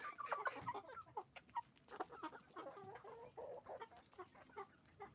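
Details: Roosters and hens on a chicken farm making noise: a dense chorus of overlapping clucks and short cackling notes from many birds, fairly distant and continuous.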